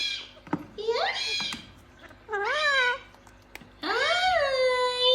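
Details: Speech-like vocalising from a gang-gang cockatoo: a rising slurred phrase, then a wavering mid-pitched phrase, then a long arching tone that levels off, with gaps between them.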